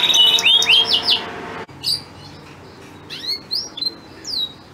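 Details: Male breeding canary singing to a female in breeding condition, the song said to make her crouch ready to mate: a loud rapid series of repeated downward-sweeping notes, an abrupt pause, then scattered clear whistled notes and slurs.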